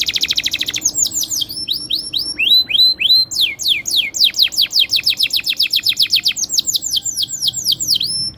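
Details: Canary singing long rolls, used as a lure to get other canaries singing; opens with a rapid high trill, then runs of sharp falling whistles repeated several times a second.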